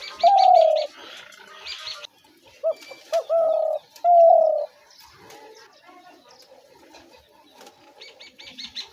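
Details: Spotted dove call used as a trap lure: two brief notes lead into two long, slightly falling mid-pitched coos, with faint chirps of small birds at the start and end.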